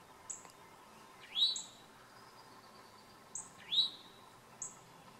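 A towhee gives two upslurred, clear notes rising sharply into a whistled 'chwee', about two seconds apart, with thin high ticks from another bird between them.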